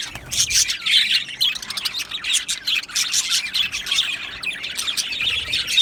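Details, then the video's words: Aviary flock of Australian budgies, recorded 12 July 2025: lively chirping in overlapping bursts, bright whistled notes and rapid squeaky twitters pulsing several times a second. "Australian Budgie Chirping Sounds"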